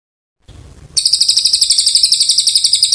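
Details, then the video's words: A vigorously singing Oriental white-eye, recorded as tutor song for magpie-robins, bursts into a sustained high, rapid, buzzy trill after a brief low rustle, pulses evenly repeated to the end. "Cililin gacor panjang"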